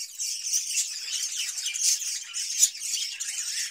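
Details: Budgerigars in a cage in summer, offered cucumber; a short stretch of even, high scratchy warbling with soft chirps and one sharp click-like note near the end.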